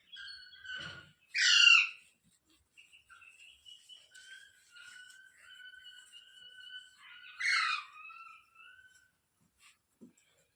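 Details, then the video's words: Parrot giving two loud, harsh squawks about six seconds apart. Between them come thin, steady whistled notes and soft chattering. "Parrot sound videos | Parrot voice | Tote Ki Awaaz | Mitthu Ki Awaaz"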